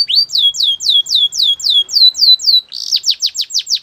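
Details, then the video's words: Belgian canary song made of clear, high descending whistled notes repeated about four times per second, switching near the end to a quicker series of sharp falling notes; clean recording with no other sounds. "Melodies Canary Birds Song | Belgian Canary"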